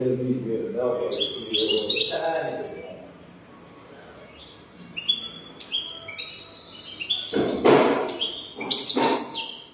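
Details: European goldfinch with a golden-throat style song, used for teaching goldfinches: high twittering notes and short trills in bursts, with low murmuring background sounds and two loud broadband thumps near the end.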